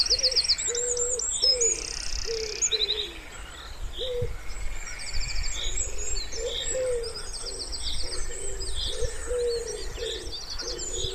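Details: Repeated low, mellow coos of a wood pigeon beside still pond water in spring, steady short notes continuing throughout, with bright twittering and buzzy trills of other songbirds overhead.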